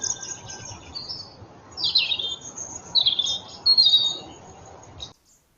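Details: Common blackbird fledglings in Galicia, now as big as adults, beg their father for food: hoarse, rasping high chirps in short bursts, growing louder toward the end before stopping abruptly.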